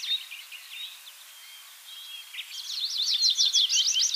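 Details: Tree Pipit singing in 2023 at Bakkum, the Netherlands: high thin notes at first, then a fast, loud run of trilled, buzzy phrases in the second half.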